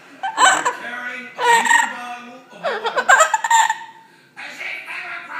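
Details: A 35-year-old double yellow-headed amazon parrot laughs along with a TV comedy routine in bursts of mimicked laughter: a loud, hoarse, stuttering cackle in three or four rapid fits, with the television playing faintly underneath.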